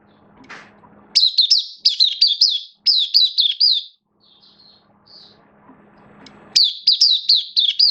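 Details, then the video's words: Caged oriental white-eye singing, 11 September 2022, slightly below best form: high rapid chirps, each slurring downward, grouped in short runs around two seconds long, with a low background hum between phrases. "Mata Puteh Kitaro Buka Sing"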